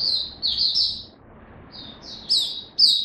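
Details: Caged white-eye giving short bursts of song display: a brief high warbled phrase, a pause of about a second, then quick rising chirpy notes.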